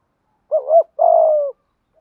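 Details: Single low coo phrase from a Malaysian-strain spotted dove in 'thúc gù' style: a brief two-peaked wavering note followed by a smooth, drawn-out, slightly falling coo.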